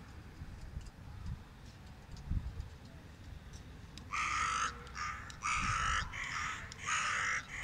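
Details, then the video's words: In a Paris neighbourhood, a person vocalizes with local crows over the roof opposite; a crow answers with four harsh, loud caws in quick succession, each about half a second long, after several seconds of low outdoor rumble. "Me and crows, vocalizing"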